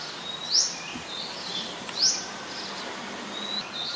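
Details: Olive-backed sunbird in the mangrove forest of the Sirinath Rajini centre: two sharp, high upward-sweeping chips about one and a half seconds apart, over a steady hiss of insects and faint background birds.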